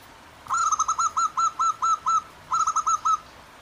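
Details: Zebra doves, male and female answering each other in the wild beside clear running water in the morning: a clear whistled trill of rapid ringing notes, a brief pause, then a shorter burst of the same cooing trill.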